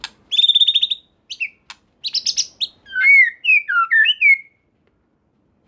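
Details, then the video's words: White-rumped shama singing to provoke other shamas: a quick high buzzy trill, sharp clicks and burry notes, then a sequence of clear looping whistles sliding up and down. "Murai Batu Lain Dijamin Langsung Respon dan Nyambar Bunyi, Coba Saja Putar || Voice of Murai Batu"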